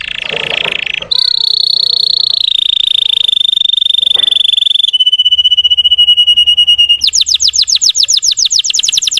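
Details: Russian canary song played to rouse other canaries: a rough opening, long smooth sustained rolls gradually lowering in pitch, then a quick sequence of bright descending whistled notes.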